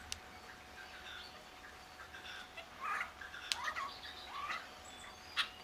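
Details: A Red-legged partridge wandering in front of a hide gives a few short, harsh chuffing notes under a second apart. Early morning on a wet, rainy March 2012 day at RSPB The Lodge, Sandy, UK. Faint hiss and clicks.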